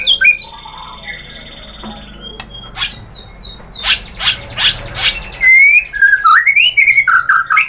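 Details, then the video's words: White-rumped shama song on a lure for prompting a bird to sing: a long, steady level whistle, scattered sharp chips and harsh noisy notes, then bright rising and falling whistled phrases. "PANCINGAN AMPUH ‼️ MURAI BATU JADI NYAUT GACOR BONGKAR MATERI ISIAN ¦ PANCINGAN MURAI"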